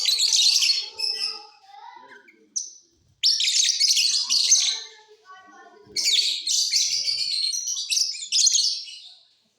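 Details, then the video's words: Captive mutation lovebirds singing in a flight cage during the off season: three loud bursts of dense, harsh, buzzy chattering and twittering, each lasting two to three seconds, separated by brief pauses filled with softer low chatter. "Love birds Mutation singing during off session"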